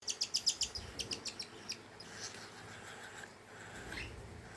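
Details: A cockatiel family, with very young chicks being fed by their parents, giving quick, high, scratchy chirps in a rapid burst that fade into softer, hissing sounds.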